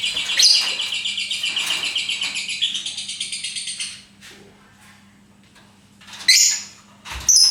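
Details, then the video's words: Lovebird giving a fast, buzzy pulsed trill that runs steadily for about four seconds, then breaks off into a quiet pause before two short sharp chirps near the end. "Bagaimana cara agar Love Bird mau Ngekek"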